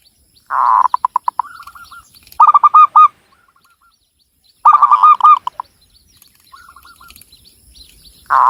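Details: Javanese zebra dove singing in Cilacap, Central Java: rough rolling bursts of rapid cooing notes alternate with softer hooked coo phrases, repeated several times, with thin high chirps of other birds faintly behind.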